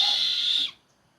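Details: Buffy fish owl giving a single loud, raspy, hissing screech of under a second that cuts off abruptly into quiet.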